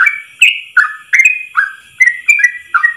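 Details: Yellow-vented bulbul giving a long-breath 'ropel' tutor song: clear whistled notes that dip and rise, alternating between higher and lower phrases, about three per second.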